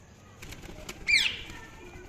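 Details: Indian ringneck parakeet giving one loud, sharp chirp with a quick downward sweep, heard after a few soft ticks and rustles over a quiet background hiss.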